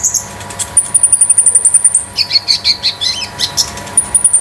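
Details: Konin sunbird kept at home as a tutor bird, with a very high, fast, evenly spaced trill of ticking notes, then lower chattering chirps, and the high trill resuming.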